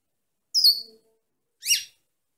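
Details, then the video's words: Female European goldfinch: a high drawn-out downslurred chirp followed about a second later by a short burst of rapid, stacked, tinkling notes. "chant femelle chardonneret - .Canto femeninas jilguero"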